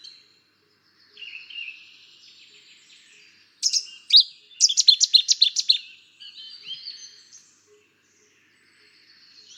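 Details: A Cetti's warbler's sudden loud outburst: sharp opening notes, then a rapid run of ringing staccato notes lasting about two seconds, set among quieter twittering and warbling from other birds.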